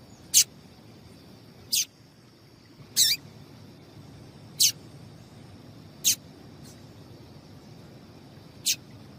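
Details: Female double-collared seedeater calling to get males singing: single sharp, high chip notes spaced one to two seconds apart, six in all, against a faint steady hiss.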